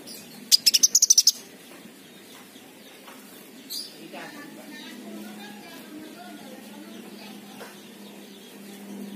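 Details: King konin sunbird lure for birds too lazy to sing: a quick, tightly packed burst of about nine high sharp notes lasting under a second, then faint scattered sounds and background noise.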